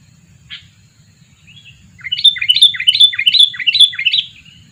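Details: Sooty-headed bulbul, a two-year-old lure bird: a single sharp note, then a rhythmic series of about a dozen clear, dropping whistled notes lasting two seconds, over a faint low hum.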